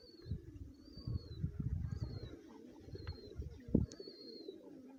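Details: Lotan pigeon (lotan kabootar), a fancy domestic roller breed, giving a low, steady murmuring coo that runs through the whole stretch. Thin descending whistles from other birds sound repeatedly overhead, and a sharp knock comes near the end.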